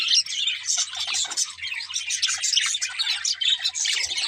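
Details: Happy pet budgerigars singing as they play: thick high twittering chorus of quick chirps and warbled notes running without break, a few louder squeaks, and a faint low background hum.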